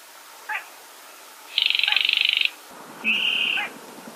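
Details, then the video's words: Baillon's crake call of the 'gõ ghẻ' type, used with nets set at night: a short click, then a dry, rapidly pulsed high rattle about one second long, followed by a shorter buzzy note, over faint hiss. "Tiếng Chim Cuốc Lùn Gõ Ghẻ 936 Lưới Giăng Đêm"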